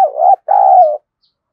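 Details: Decoy spotted dove calling to stir a rival into fighting: a short burred coo followed by a longer, level, slightly falling coo, loud and close.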